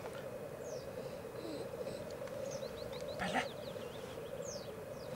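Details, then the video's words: Black grouse lek in Elverum during 2008, 38 cocks gathered: rich, steady bubbling cooing throughout, one loud hissing rush mid-way, and quick descending high whistled notes scattered across. "Orreleik i Elverum 2008 - Black Grouse"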